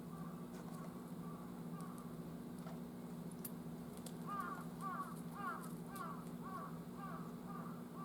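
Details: Large-billed (jungle) crow gives a quick series of hoarse, nasal caws, about two a second, over a steady low hum, on 18 October at 11:50; a nearby animal hides, wary of the crowing.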